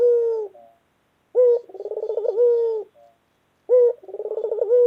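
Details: Pet white collared dove cooing loudly and clearly: a low held note ends one call, then a fresh call opens with a short note, rolls through a fast vibrating trill and settles into a sustained coo.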